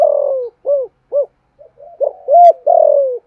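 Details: Spotted dove cooing to rouse other doves: a long drawn coo, two short arched notes, a soft grumble, then a rising coo and a final long sliding coo.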